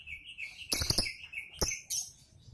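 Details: Lovebird, a defending champion reacting, gives shrill high chirps and short squeaky notes in brief bursts, with a few sharp clicking sounds between them and a quiet background.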